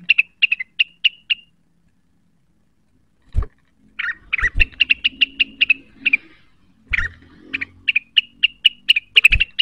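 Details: Cucak wilis in full song, seeking a rival after being provoked by a call: rapid strings of bright, clipped chirps in repeated bursts, with occasional low knocks between phrases.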